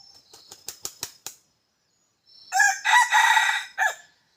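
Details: Decoy red junglefowl used in hunting gives a rapid run of six wing-flap bursts, falls silent, then delivers a single strident crow in several segments, the last part separated and falling away.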